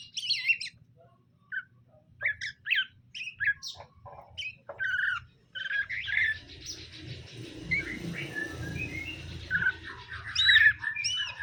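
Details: Caged greater green leafbirds, male and female, being paired to get along: several separate sharp chirps and whistles, then a longer rasping, noisy chatter with thin notes mixed in.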